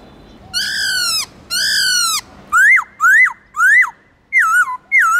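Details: Black-throated laughingthrush multi-voiced song: two long, gently falling whistles, then a series of rising and dipping whistled notes in a lively rhythm.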